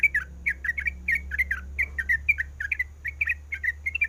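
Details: Sooty-headed bulbul female calling the male, eager to breed: bright, slightly descending chirps in quick twos and threes, spaced irregularly, with a steady low background hum throughout.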